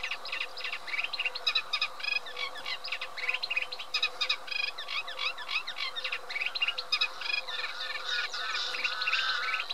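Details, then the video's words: Eurasian reed warbler singing a continuous, rapid chattering song of harsh, scratchy notes, many per second, with varied churring and clicking phrases and little pause throughout, plus a faint low steady hum beneath. "Cserregő nádiposzáta"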